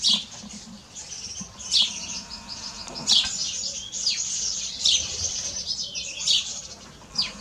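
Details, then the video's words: House sparrow calling in a lively series of short, scratchy chirps, some single and some in quick pairs, repeated every second or so over soft background noise. "Sparrow chirping - عصفور الدوري"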